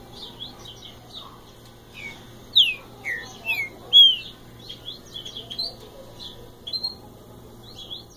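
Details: Green-winged saltator, locally called mateiro, giving its common song: loud, clear downslurred whistled notes in short spaced phrases, with a busy high twittering chatter of other small birds running throughout.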